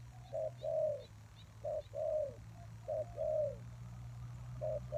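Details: Spotted dove coos for luring wild doves: a short note then a longer falling coo, repeated, with a steady low hum and faint high chirps behind.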